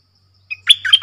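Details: Fragment of red-whiskered bulbul 'double song' lure singing: a short soft note, then a loud, slurred, chattering whistle phrase lasting about half a second, over a faint low hum.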